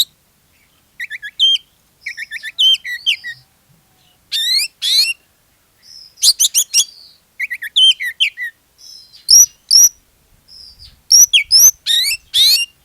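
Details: Oriental magpie-robin singing hard as a lure to prompt other magpie-robins to sing; varied loud phrases of clear upslurred whistles, rasping trills and quick repeated notes, irregularly spaced.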